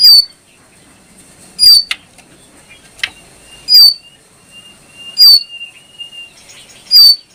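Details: Brown prinia repeating an intense high note five times over seven seconds at uneven intervals, with clicks and a thin sustained whistle between notes.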